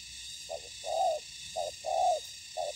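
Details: Spotted dove calling during ground trapping, where a decoy meets combative wild birds: paired phrases, each a short clipped coo and then a drawn-out purring coo, about one phrase per second, with constant hiss behind.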